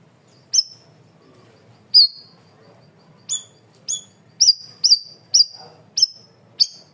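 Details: Cream-vented bulbul calling loudly: bright, high, falling chirps that start sparse and then quicken into a run of about eight closely spaced notes.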